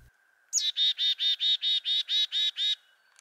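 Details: A male chickadee on his territory in northern woods in June, busy courting and nest-building, gives a high, sharp opening note, then about nine buzzy, evenly spaced 'dee' notes in just over two seconds, over a faint steady whine.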